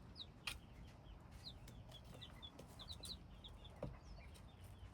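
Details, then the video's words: Hybrid chicken chicks give sparse, high, down-slurred cheeps spaced irregularly, with two sharp taps and low background rumble. "Hybrid chicks - me nyuam qaib dib txuam txoov"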